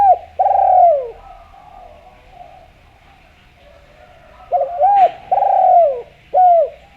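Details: Spotted dove from Java, calling vigorously for use as a lure to set other doves calling: two groups of low, mellow, downward-sliding coos separated by a pause of several seconds, over a steady faint hum.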